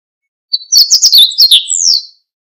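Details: Single song phrase of a Siberian bunting, a rapid string of bright, high chirped notes sliding up and down, closing with a longer descending whistle; background otherwise silent.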